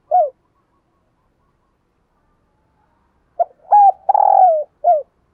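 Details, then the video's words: Decoy spotted dove cooing to call in wild doves: a short low coo, a pause of about three seconds, then a run of hoarse coos, one drawn out and slowly falling, ending with a brief final note. "Tiếng Chim Cu Mồi GÁY GỌI Bổi"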